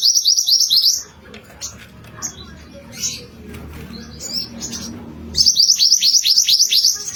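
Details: Mantenan kuning singing actively, used as a lure call: rapid high-pitched trills of repeated sharp notes open and close the clip, with scattered chirps and soft clatter between them.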